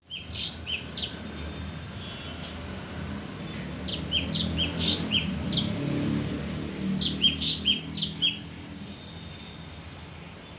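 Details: Male leafbird song used as a lure for other birds: clusters of short bright chirps near 3–4k repeated in bursts, with a thin whistled sweep near the end over a low steady hum.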